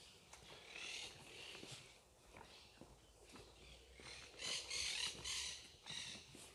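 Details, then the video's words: Many parrots calling in the woods near Pueblo Andino, Santa Fe, Argentina, among huge trees: harsh, screechy bursts repeated in rapid clusters, loudest near the end, with soft rustling and footsteps in the background. "Muchos loros se escuchan."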